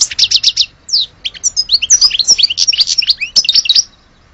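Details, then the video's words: An Algerian European goldfinch sings a quick trill, then a long run of varied twittering, slurred notes dipping and rising at a lively pace. "Le vrai chardoneret de Alge"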